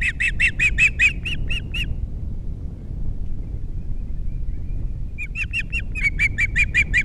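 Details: Osprey at a Captiva nest with three chicks, filmed by nest camera on 21 February 2022 after the female left: two bursts of rapid, high whistled chirps, about eight notes each, separated by a pause, over steady low wind rumble.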